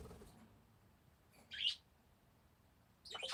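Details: Parakeet heard at a distance giving two short, rasping chirps about one and a half seconds apart, against a soft hiss.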